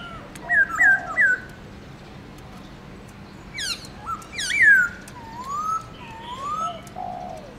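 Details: Morning song of a captive black-throated laughingthrush in forest style: three ringing whistled slurs, a pause, sharp falling sweeps and a loud down-slurred note, then soft drawn-out rising whistles.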